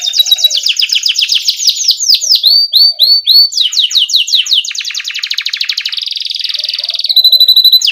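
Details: Canary in strong 'ngerol' song with 'cuit cuit' notes to get young canaries singing: rapid falling sweeps, a run of rising chirps, dense rattling trills, and a steady high whistled trill at the end.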